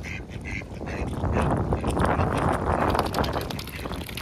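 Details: An angry goose protecting its goslings while being fed gives a harsh, breathy hiss over several seconds, broken by a few short nasal honks near the start, with steady rustling noise underneath.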